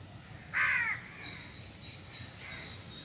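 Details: Crow making noise while feeding on cooked food and grains, giving one loud, harsh, slightly falling caw, then quieter distant calls and a faint steady tone in the background.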